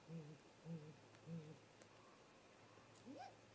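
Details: Great grey owl pair at the nest tree, the male arriving and the female landing at the top, late afternoon, 13 April 2018, remote nest camera. Three low, even hoots, then a brief pause and one quick rising note.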